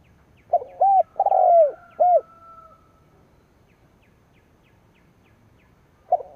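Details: Decoy spotted dove cooing to provoke rivals: a quick run of short arched coos with a longer falling coo in the middle, then silence before the next phrase begins.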